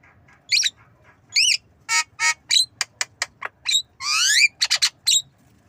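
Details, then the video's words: Tame black-winged myna, a young bird learning to imitate a cough, gives harsh rasping squawks and short clicks in quick bursts, with one long noisy buzzing call near the end. "Jalak kebo Manggut Belajar Batuk"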